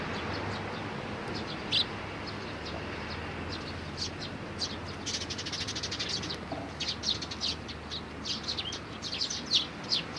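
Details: Sparrow chicks and parents on 11 May 2019; after a faint opening, a string of quick, high chirps builds through the second half against steady background noise.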